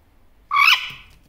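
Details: One-year-old male Superb parrot, a pet, chattering to his mirror image indoors: a single loud harsh squawk lasting about a quarter second, rising slightly, with a brief fading tail.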